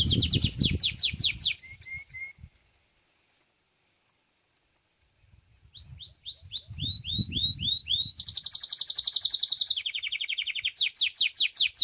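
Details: Singing Belgian canary in competition: fast descending trills, short low whistles, a pause, then a run of rising-then-falling slurred notes into loud buzzing trills at two pitch levels, with soft low noise at times.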